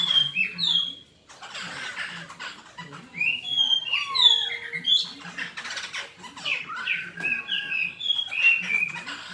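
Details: Fighting song of a black-throated laughingthrush, made of bright whistled phrases and downward-sliding notes in bursts, with short gaps and some rougher chattering between. A low background hum is audible.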